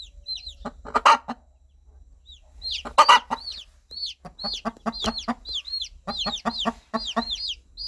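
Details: Hen calling her baby chicks; two loud grouped cluck bursts separated by a quiet spell, then a steady run of rhythmic low clucks, with chicks' high down-slurred peeps scattered throughout.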